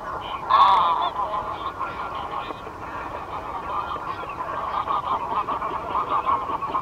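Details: Greylag goose honking: one loud, harsh honk near the start, then continuous rapid, nasal cackling calls that overlap, as from a group of geese, steady to the end.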